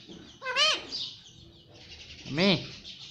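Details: Pet parrot known for talking, saying mummy: two separate nasal, arched, voice-like syllables with rich harmonics, spaced about two seconds apart, in a quiet room.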